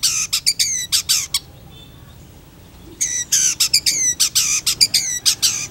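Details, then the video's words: Long-tailed shrike in gacor style for tutoring birds: rapid harsh, nasal notes with strong overtones, a brief pause, then the same grating series resumes. "PENTET GACOR"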